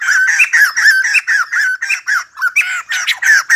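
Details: White-crested laughingthrush in dancing song: a regular run of loud, harsh, slurred squawks, about one per third of a second, continuing throughout.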